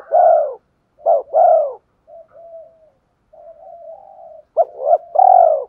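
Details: Cooing of a spotted dove kept as a decoy to draw wild doves into calling back. A hoarse coo phrase, a soft hummed stretch, then another two-beat-plus-long coo phrase.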